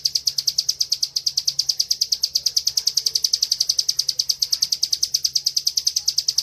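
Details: Bar-winged prinia, a caged songbird kept for training, in a loud, steady ngebren song: a fast, rapid series of sharp high chirps repeated several times a second without pause, with a faint low hum beneath.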